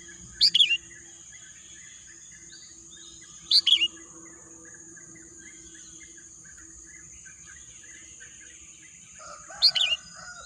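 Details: High quick chirped phrases from a bird in lush green nature, three short double-note bursts spaced about three seconds apart, backed by a constant high insect drone and faint distant twittering.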